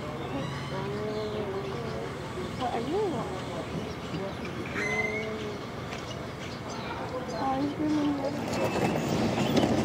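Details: Hawaiian Goose (Nēnē) calling with low moaning honks, one bending up and then down in pitch, followed by short level notes, against a constant low rumble that grows noisier toward the end.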